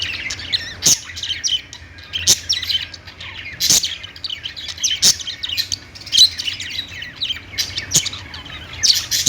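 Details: Budgerigars chirping as a busy flock: dense, high, twittering chirps with sharp squeaky notes every second or so, over a steady low hum.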